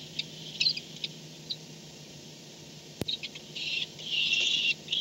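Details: Barn owl at the nest at 4:38 am on 2-10-16 after coming home; a few soft ticks, a sharp click, then a harsh breathy hiss-like screech in the last seconds.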